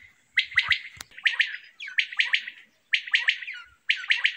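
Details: Common quail song from a summer meadow, a crisp three-note phrase given again and again at brief, slightly uneven intervals, with a couple of soft low knocks early on.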